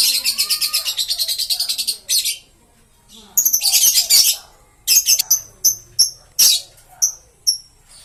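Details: Green-series lovebird chattering: a harsh rapid stutter of high notes for two seconds, a burst of scratchy squawks, then a series of sharp, clipped piercing chirps spaced about half a second apart.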